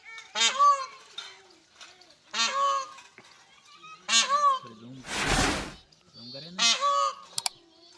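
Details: Peahen of the Indian peafowl calling while searching for a peacock: loud, nasal, honking calls rich in harmonics, four of them roughly every two seconds, with a short burst of broad rustling noise between the third and fourth.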